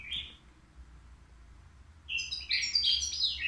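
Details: European goldfinch, three years old, kept caged at the Al Qurei'a bird market, said to sing without faults; one brief high chirp at the start, a quiet gap, then a dense burst of bright, rapid twittered notes in the second half.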